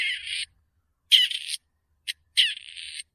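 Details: Grey Partridge uttering three scratchy, grating calls and one brief clipped note, separated by pauses of up to half a second.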